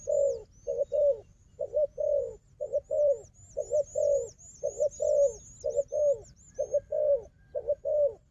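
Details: Strong-fighting wild dove against a decoy dove: persistent low cooing, paired short notes then a longer coo, repeated without break for over eight seconds, under a busy chatter of very high whistled bird calls.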